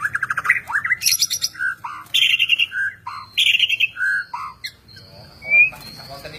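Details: Medan white-rumped shama in full song: a rich, varied run of fluted whistles, rapid rattling notes and slurred rising phrases, loud and continuous, ending in a clear upward-sliding whistle.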